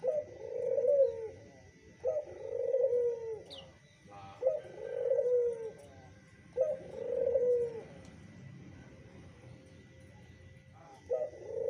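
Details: Zebra dove stirred by a lure call: four rolling, low coo phrases repeated about every two seconds, then a quieter pause and a final coo starting, with scattered soft clicks and a steady faint hum.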